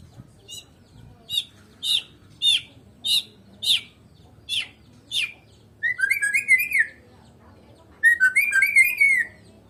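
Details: Song of a Medan white-rumped shama: a run of sharp rising whistled notes at a steady pace, followed by two rich, warbling bursts of tumbling, slurred whistles.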